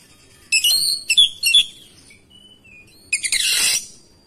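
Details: Oriental magpie-robin replying to another singer: three loud, bright whistled notes, soft twitters in between, then a harsh scratchy rasping burst.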